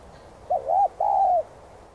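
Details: Spotted dove coo meant to prompt other doves to start singing: one phrase of a brief undulating double note, then a longer smooth coo that slowly drops in pitch, with nothing else audible.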